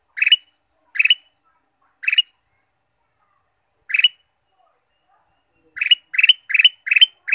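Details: Ruby-throated bulbul, played to stimulate caged birds: sharp squawky chirps, first spaced about a second apart with a long pause, then a rapid run of six or more in quick succession at the end.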